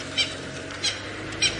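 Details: Natal spurfowl gives its alarm call, terrified of a large male leopard moving through, on an afternoon drive in the Sabi Sand, South Africa, on April 17, 2018: three short, harsh, high scratchy notes about 0.6 seconds apart over faint hiss.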